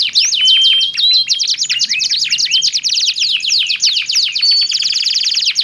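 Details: Canaries singing back and forth, two birds with differing tones, pour out dense rapid trills and sweeping chirps, with a few pure whistled notes early and a steady whistle near the end.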